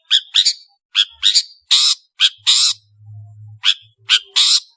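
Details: Long-tailed shrike, or cendet, in lively song: a mix of clipped chirps and longer harsh, scratchy bursts in an uneven rhythm, with a soft low hum in the middle.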